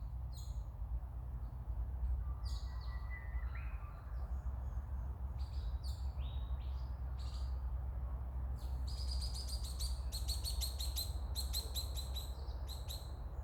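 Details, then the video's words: A Swift Parrot, sighted on 6 August 2024, gives high, thin metallic notes, scattered at first, then quick repeated chips near the end, with a brief lower whistle over a low rumble of wind or traffic. "Swift Parrot"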